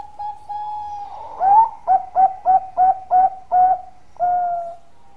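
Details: Zebra dove of the Bangkok type, a strong long-voiced singer, cooing: a drawn-out opening note, then a rapid run of seven clipped, rising coos and a final long note.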